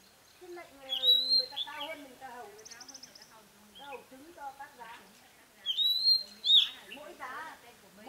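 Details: Decoy red-whiskered bulbul singing to stir up rivals: loud, clear, slurred whistled phrases near the start and again later, with lower harmonic voice-like sounds in between.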